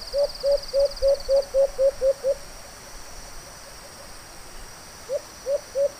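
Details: White-eared brown dove calling during a hunt in Mindanao: a rapid series of eight short, low hooting notes at an even pace, a pause, then three more, over steady background hiss and a faint high buzz.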